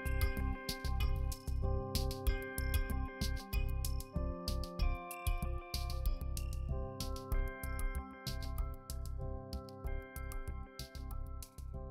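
Instrumental music with steady sustained tones and rhythmic plucked notes, and no animal voices heard.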